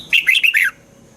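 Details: Red-whiskered bulbul, a recording for stimulating caged bulbuls: a single short, cheerful phrase of four quick, liquid warbled notes that rise and fall, then silence.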